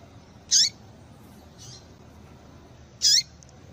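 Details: Two crisp, high, downslurred chips from a female double-collared seedeater, used to make males sing, are separated by a faint softer note over light background hiss.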